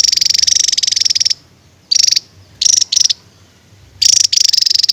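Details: Javan tesia shooting song ('tembakan'): a long shrill machine-gun trill opens, followed by brief clipped high rattles and a closing burst of rapid pulses.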